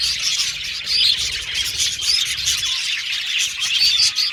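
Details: Aviary flock of budgerigars, Australian parakeets, chattering nonstop: overlapping high chirps and short warbled notes, with a few clear squeaky whistles rising above the steady chorus.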